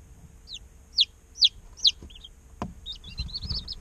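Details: Baby chickens a day old peeping in an incubator: four loud, sharp descending peeps about half a second apart, a click, then a quicker flurry of softer wavering chirps.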